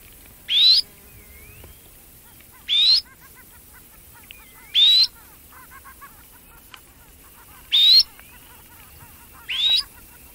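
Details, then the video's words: Red-necked phalarope giving five brief, high, rising chirps, each a quick upward slur, evenly spaced about every two seconds against a soft, steady background murmur. "Red Necked Phalarope chirping"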